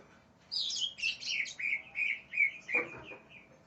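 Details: Greater green leafbird singing angrily as if challenging an opponent: scratchy high bursts lead into a steady series of clear whistled notes, with a brief rustle like wing flutter partway through.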